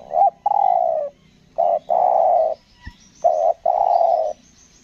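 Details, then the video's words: Decoy spotted dove from Lombok cooing in the 'selang nguku gagap' style: three phrases, each a brief quavering note then a drawn-out low coo, with short pauses between and a single click. "pikat tekukur selang nguku gagap"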